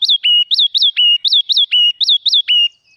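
A red-whiskered bulbul sings a quick, bright run of liquid notes, swooping up-and-down chirps alternating with short level whistles, about ten in under three seconds.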